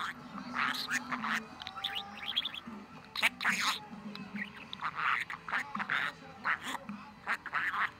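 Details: A pet budgerigar recorded on 23 November, in top form and talking, chatters in scratchy warbles, clicks and squeaky chirps with speech-like mumbles mixed in, over a low hum.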